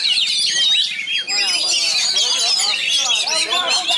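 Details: Magpie-robin from Pasbar singing a dense, fast medley: high slurred whistles and trills layered with repeated curved lower notes, continuous throughout.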